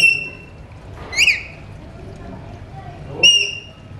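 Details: Alexandrine parakeets kept as talking pets give clear, high, ringing whistles, a short one at the start and two louder ones spaced about two seconds apart, over soft background noise.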